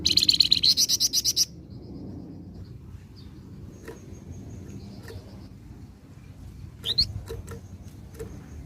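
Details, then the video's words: Flamboyan in lively song, played to lure other birds: a loud, rapid, buzzy trill of high pulsed notes lasting about a second and a half, then only faint chips over steady low background hum. "flamboyan gacor cocok pancing burung ombyokan"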